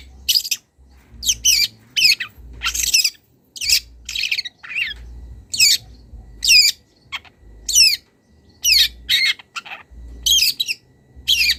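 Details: Young long-tailed shrike from the wild answering a rival, starting its mimicry: a steady string of sharp, grating squawks and wavering high notes about every half second, with faint low hum between.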